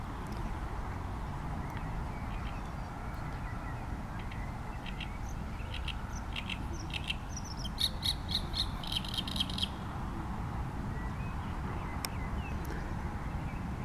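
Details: Great reed warbler giving its typical song: a run of harsh, rattling, croaky notes repeated in quick succession toward the middle, with scattered shorter notes before, over a steady low rumble of background noise.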